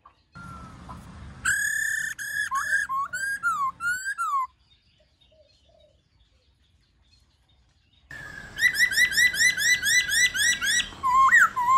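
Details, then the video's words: A laughingthrush sings loud, rich, varied wild-type whistled phrases that rise and fall and shift in pattern, used to stimulate and train young birds, with a quiet pause midway and a low background hum. "Khướu Hót GIỌNG RẤT HAY- NHIỀU GIỌNG"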